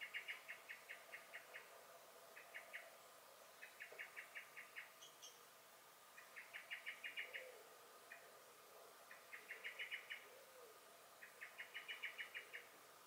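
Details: Common blackbird calling in alarm in a garden, 23 May 2021: repeated bursts of rapid, metallic chinking notes, each run of five to ten notes broken by short pauses, going on steadily, with a brief thin chirp from another bird.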